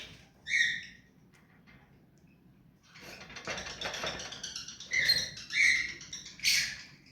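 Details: Hand-tame pet rose-ringed parakeet giving harsh, buzzy squawks: one burst near the start, then three loud raspy calls toward the end after a stretch of soft rustling noise.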